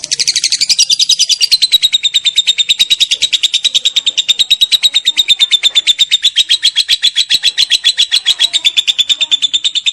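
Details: Lovebird giving a long ngekek chatter used as a master recording for training songbirds: rapid, even train of harsh high notes about ten per second, starting slightly higher and settling into a steady pulsing run for the full length.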